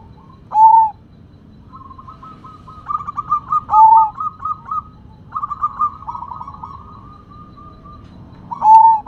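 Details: Sumbawa zebra dove, described as rare and singing strongly: loud pure coos opening and closing phrases of rapid stuttering trills, three coos spaced about three to four seconds apart, over a faint low rumble.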